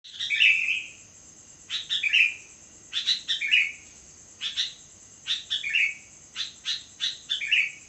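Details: Sooty-headed bulbul singing at midnight: short bubbly phrases of quick chirps ending in a lower, downslurred whistled flourish, repeated about every second or so, over a steady thin high whine in the background.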